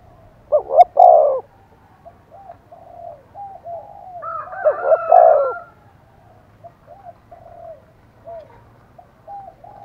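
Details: Decoy spotted dove cooing to stir wild doves into calling back. A loud coo phrase leads into softer repeated notes. A second strong phrase mixed with harsher tones follows, then faint trailing coos.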